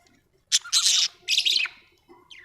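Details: Pet budgerigars kept at home give two bursts of harsh, buzzy chatter, each about half a second long, followed by a short rising squeak.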